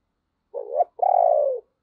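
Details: ['Decoy spotted dove cooing to stir other doves into calling: a short, wavering low note followed after a brief pause by a longer, steady coo that slides downward at the end.']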